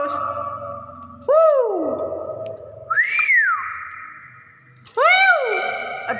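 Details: A clever hill myna alternates rich harmonic falling swoops with a clear rising-then-falling whistle, ending in another layered swoop, over a low buzzing hum.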